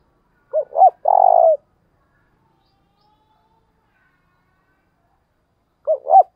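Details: Spotted dove decoy giving the thúc bổi lure call used to draw in wild doves: two short rising hoots followed by a long, even, purring coo, then the same phrase again after a pause of about four seconds.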